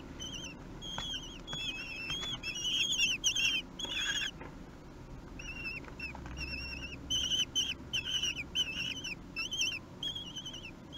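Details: Three-week-old Common Kestrel chicks at a nest at feeding time on 8 June 2021 beg with shrill, wavering, overlapping squeals in rapid bursts, pausing briefly midway, over a faint low rumble.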